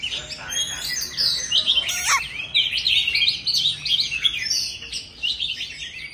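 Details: An old forest Oriental magpie-robin sings loudly, a dense, continuous stream of varied chirps and whistles, with one sharp downward note near two seconds.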